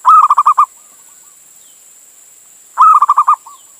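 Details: Local male zebra dove from Indonesia calling for a female, used to lure other doves: two bursts of six or seven quick, bubbly coos about two and a half seconds apart, each followed by faint trailing notes, with steady hiss.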